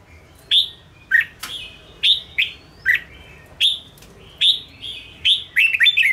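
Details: Red-whiskered bulbul singing to rouse and train caged birds: a steady series of loud single whistled notes, some upslurred, some downslurred, roughly every half second to second, ending in a fast cluster of phrases.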